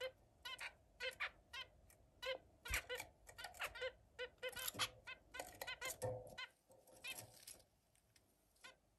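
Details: Zebra finches playing with other birds, giving short nasal calls with stacked harmonics, repeated rapidly and irregularly in overlapping bursts; several birds call at once over a faint steady background hum.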